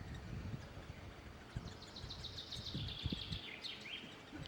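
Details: Great spotted woodpecker nestlings at feeding time: a continuous high chattering stream that dips and rises, rather faint, above steady low background rumble and scattered knocks.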